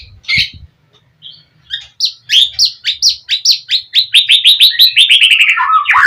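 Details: White-rumped shama singing gacor style to provoke a response from other birds: after a few scattered notes, a long series of short downslurred whistles repeated faster and faster, dropping in pitch at the end.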